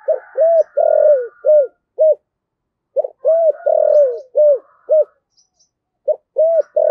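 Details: Spotted dove kept as a decoy bird, 'thổ' voice style, cooing repeated phrases of clipped and sustained hoots with a long falling note, while a faint higher whistle runs behind.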